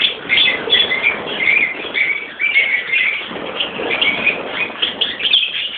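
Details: Rosy-faced and Fischer's lovebirds in a colony of adults and youngsters: constant shrill twittering, with sharper squeaky calls standing out every second or so above the busy high-pitched background chatter.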